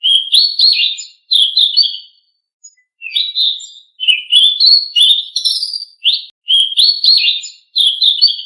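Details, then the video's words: Blue-winged leafbird song used as a training recording to get caged birds singing: rapid chattering, warbled phrases around mid-high pitch, dense bursts with brief pauses, some thin high notes above; clean background. "Masteran Burung Selendang Biru super efektif bikin Burung Selendang Biru gacor"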